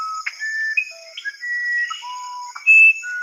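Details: Musician wren, known as Uirapuru, a bird whose song inspired Villa-Lobos' symphonic poem of that name, played back in a lecture; pure whistled notes stepping up and down between different pitches, over a steady high insect-like drone.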